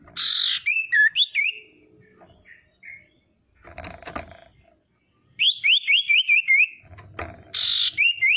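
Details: Female common iora calling so that rival ioras answer and get agitated: buzzy notes with wavering whistles, then a run of about seven sharp rising-falling whistled notes and another buzzy phrase, with clatter between phrases.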